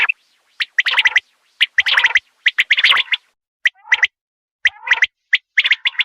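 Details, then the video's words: Common quail call used to lure birds for hunting: short chirpy bursts clustered in quick groups of two or three, separated by brief silences, with no other sounds. "Quail sound l Quail hunting Awaz l Batair Spashall awaz"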